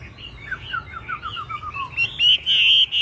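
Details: A 'tam hoàng' hwamei, yellow in leg, bill and feather, sings a descending series of quick slurred notes, then breaks into loud high sustained whistles.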